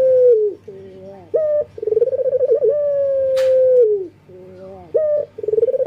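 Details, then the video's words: Breeding male local collared dove calling females, heard as a throbbing pulsed coo merging into a drawn-out steady note that drops away, with a brief rising note between phrases and a faint click midway. "BURUNG PUTER LOKAL JANTAN BIRAHI MEMANGGIL BETINA"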